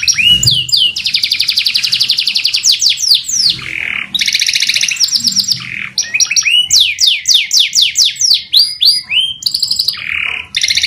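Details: Long, lively canary song: fast rattling trills alternating with rolling lower warbles and runs of bright downslurred whistles, delivered in continuous varied phrases with barely a pause.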